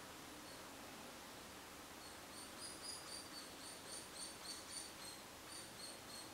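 Young hairy woodpecker giving faint, high, thin notes repeated rapidly, about four per second, over a steady hiss of background noise.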